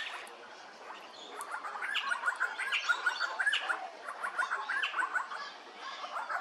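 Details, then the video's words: Little friarbird at Hervey Bay, Queensland, giving harsh, rattling, gargled notes in quick uneven bursts, loudest mid-clip, over a busy background of other chirping birds. "Little Frierbird"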